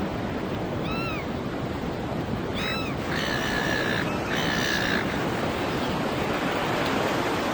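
Gulls give two short, mewing cries that rise and fall, then two longer, level, nasal wails, all over a steady roar of breaking surf.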